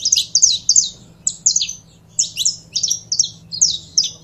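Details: High, sharp chips from a saffron finch (canário-da-terra) come in short clustered bursts separated by brief gaps, each note a quick slurred squeak, with a soft low hum in the background.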